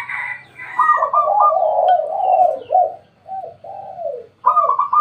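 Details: Spotted dove calling at midday at home: a run of hoarse, bowed cooing notes, several back to back and then spaced out, a short pause, then another coo starting at the end; fainter higher tones above.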